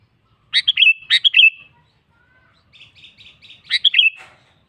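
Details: Singing sooty-headed bulbul calling out to a rival, kept as a model for training other bulbuls: two rapid chattering phrases, then soft stuttering notes, then another bubbly phrase with a fading whistle.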